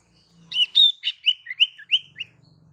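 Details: Female sirtu calling for males: a bright sharp note opens a series of about eight slurred whistled chirps that dip and rise in pitch, with a faint low hum behind.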